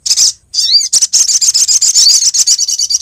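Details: Female sogok ontong, the Brown-throated sunbird, calling to a male in a lure recording from Lumajang; a brief high chirp, then a slurred note and a rapid, even trill of shrill ticking notes.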